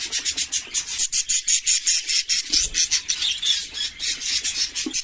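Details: A flock of budgerigars in an aviary chatters nonstop with high, scratchy warbles and chirps.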